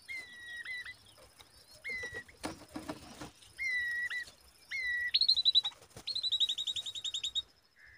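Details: Common babblers (Argya caudata), young birds on a date tree, give thin whistled notes near a steady pitch, then fast squeaky runs of higher notes, about four a second, with a burst of rustling midway.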